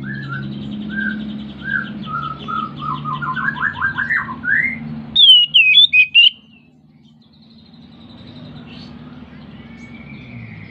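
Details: Oriental magpie-robin in breeding condition, singing to stimulate other birds: a run of lower slurred whistles climbing into a rapid trill over a steady hum, then a sharp burst of high twisting whistles, then quiet hum.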